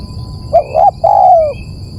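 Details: Spotted dove call used for luring birds: one phrase of two brief hooked coos followed by a longer, smooth, slowly falling coo, over faint background hiss.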